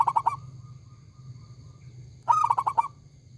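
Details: Local zebra dove with a loud, big voice: the end of one phrase, a short pause with steady low hum, then a full rapid burbling run of cooing notes.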